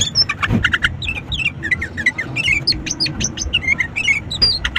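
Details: Sooty-headed bulbul song played as a lure to get reluctant bulbuls singing: bright, chattering whistled notes and quick down-slurred phrases, repeated densely and partly overlapping, over a steady low background rumble.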